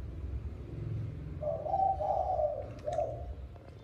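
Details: Evening cooing of a spotted dove at mealtime. Quiet low hum, then a soft, hollow coo sequence: a longer rolling run of notes followed by a brief closing coo, with a few faint clicks near the end.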